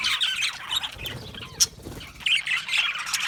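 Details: Budgerigars in an aviary give harsh squawks and chirps, busy at the start and end with a quieter lull in the middle broken by one sharp click.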